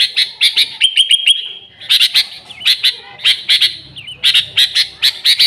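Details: Used as a lure, a sooty-headed bulbul gives a short run of level whistles with high ticks, then clusters of sharp, scratchy chirps and a few slurred notes.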